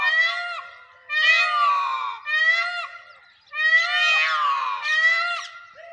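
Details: An Indian peafowl in a Rajasthan village on the morning of 1 May 2021 gives loud, wailing, cat-like calls with rich harmonics in bad weather, repeated in drawn-out bursts about every second or two.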